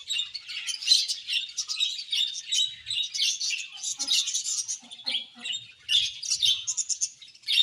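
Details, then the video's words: A happy budgerigar colony chirping, with sharp, squeaky notes and chattering warbles arriving in quick irregular bursts, overlapping throughout. "Budgies Happy Colony Chirping Sounds"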